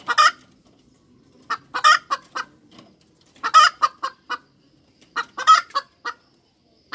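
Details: Cackling hens: a harsh opening squawk, then clustered, stuttering notes rising and falling in series about every two seconds, with brief quiet gaps between.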